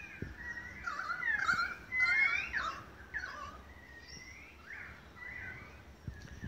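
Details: Australian magpies pouring out a long group song in Beverly Hills, Sydney, Australia, August 2015: loud tangled warbling and whistled slurs at first, easing into softer arched, drawn-out fluting notes.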